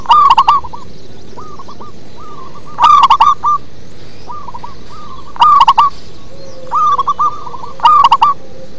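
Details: Local zebra dove singing in a low bass style: four loud staccato cooing bursts spaced two to three seconds apart, with quieter trilled coos from other doves between them.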